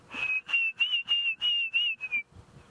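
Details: A distant Diederik cuckoo, heard on a sunrise safari drive on 7 December 2016 near the far eastern boundary, gives a string of seven clear, high whistled notes, about three per second, the last slurring downward; surroundings otherwise quiet.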